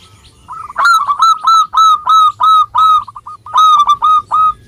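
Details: Local zebra dove singing vigorously, used to coax reluctant birds into calling: a loud, fast run of short, ringing coo notes, about three per second, steady in pitch, in a quiet setting.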